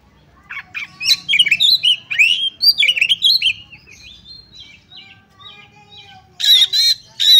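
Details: Calling female Oriental magpie-robin, meant to stir males into singing. A dense tumble of varied whistles and chirps for about three seconds, then softer scattered notes, ending with two loud harsh rasps.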